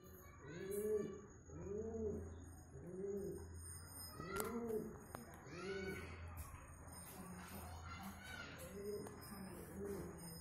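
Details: Pigeons courting, giving deep, arched, rolling coos repeated about once a second in a steady series, over a constant low hum.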